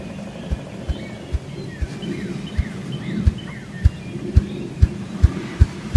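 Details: A ruffed grouse drumming on a drumming log: about a dozen deep, muffled thumps that start slowly and speed up steadily. Faint high chirps of other birds are heard behind.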